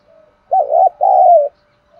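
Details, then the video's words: Spotted dove cooing in the 'thúc đấu' style used to draw in wild birds. One phrase of two husky notes: a short wavering coo, then a longer drawn-out one that slides downward, with faint soft murmurs at either end. "Thuc dau dong pha - kích bổi hiệu quả"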